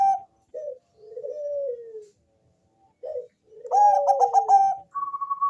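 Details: Zebra dove of the Bangkok type, deep and bassy, whose song is used to lure other doves into calling. A brief note and a long falling coo are followed by a loud rapid rolling series, then a steady whistle.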